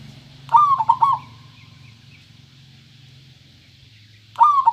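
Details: Clear-voiced local zebra dove song: a quick rolling coo phrase of several pulsed notes, then a pause of about three seconds before the next phrase begins, with a steady low hum underneath.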